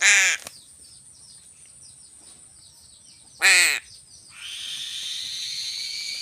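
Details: Crow giving two loud, harsh, strongly harmonic caws about three seconds apart, each short and rasping, with a hiss of background noise following the second.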